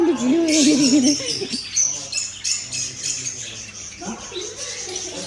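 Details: Amazon parrot said to speak Arabic. A wavering, voice-like warble opens the clip for about a second and a half, followed by hissy, breathy sounds and a short harsh utterance near the fourth second, with a steady low hum.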